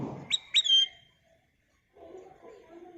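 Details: ['Kutilang emas bulbul lure song: two sharp whistled notes run into a long, clear falling whistle. Low murmuring noise follows.']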